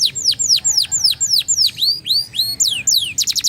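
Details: Caged canary of the flam-drag song style, singing loud clear whistled notes that sweep downward and then upward, repeated roughly four times a second, ending in quick high chips.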